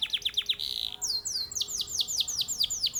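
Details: Competition canary from Mojokerto, Indonesia: a few quick falling notes, a short flat buzzy tone, then a run of bright, arched whistled notes repeated about five per second.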